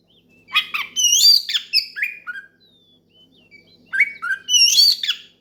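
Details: Loud oriental magpie-robin song meant to lure a rival and spur other birds into singing: rich, rapid phrases of varied whistles and downslurred notes, a short pause with a faint thin whistle, then another busy, ringing burst of song.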